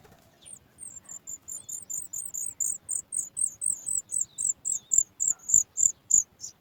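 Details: Sooty chat chick at its nest, begging as it hears its mother bringing food: thin, very high notes repeated about three to four times a second, growing steadily louder and more insistent.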